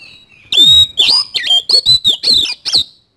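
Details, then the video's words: Oriental magpie-robin in full, vigorous 'isian kasan' song: a fast run of loud, varied whistles, sharp chips and slurred notes packed closely together for about two and a half seconds. "BURUNG KACER GACOR ISIAN KASAN"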